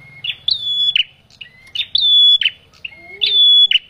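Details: Male bar-winged prinia used as a lure for trapping birds: three loud phrases about 1.4 seconds apart. Each opens with a short low note, then a sliding, long, flat whistled tone ending in harsh buzzy chirps. Faint low hum underneath.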